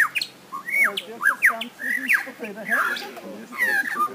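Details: Lyrebird, an Australian forest mimic, produces a jumble of quick slurred whistles and squawky notes, rising and dropping, about one and a half per second, over a low steady hum.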